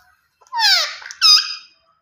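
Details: Green ringneck parrot, a rose-ringed parakeet, uttering two harsh screeches, the first long and falling, the second shorter and sharper, in a quiet room.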